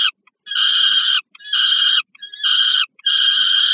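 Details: Peregrine falcons in Warsaw, Poland, at the Żerań heat plant, 15 August 2022, during delivery of prey to a young bird: four long, coarse, insistent screams at a steady pitch, about one every 0.8 seconds.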